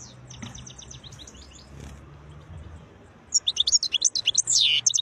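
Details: Wild European goldfinch singing with beautiful notes: faint high notes at first over a low hum, then a loud, fast burst of high, sharp twittering and a slurred, descending whistle over the last two seconds.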